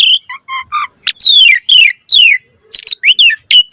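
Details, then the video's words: Brief Asian pied starling phrase: a few soft stacked chirps, then long loud downslurred whistles, ending in quick clipped notes and a short level whistle. "Pancingan Jalak Suren Gacor Auto NYAUT Cepat MOMPA"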